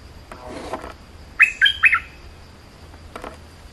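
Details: Bulbul singing a quick phrase of three short, bright, warbled notes in close succession, preceded and followed by faint scratchy sounds against a steady background hiss.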